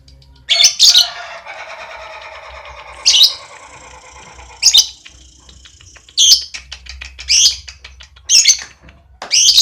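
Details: Relaxed lovebird giving ngekek chatter: harsh bursts of high, buzzy squawks recur every one to two seconds, with a long, softer rattling trill between the first bursts and a faint thin whine in the background.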